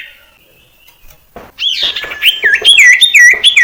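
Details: Common iora lure song, meant to build the confidence of young birds still learning to sing. A faint whistle and scattered knocks lead into a rapid run of varied high chirps and looping whistled notes.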